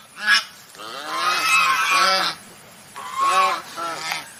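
Swan honks: a sharp nasal blast, then a long harsh trumpeting note and a second pair of honks, with rich buzzy overtones.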